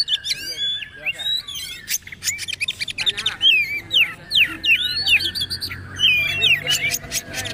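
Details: Poci-type Oriental magpie-robin in trotol style, recorded as a master for caged birds: fast, jumbled series of clicks, chips and short down-slurred whistles, about two notes a second, with brief harsh bursts.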